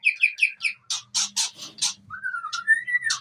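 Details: White-rumped shama of the long-tailed Aceh type giving a run of sharp repeated chips and harsh bursts, then a long rising whistled note; faint low hum behind.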